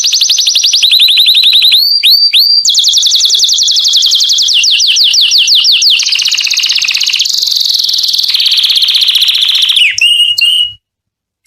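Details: Canary song for attracting females to mate: continuous high rolling trills with repeated swept whistles, changing tour every few seconds, then a short sharp note before the song stops abruptly into silence.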